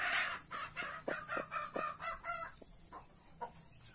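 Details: Blue mother hen among Australorp and Brahma chicks: loud, rough clucks repeated about three times a second, fading off, with faint chick peeping and constant hiss behind.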